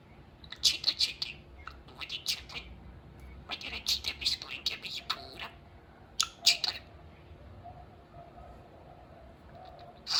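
A budgerigar talks in rapid, high, scratchy bursts that imitate human speech.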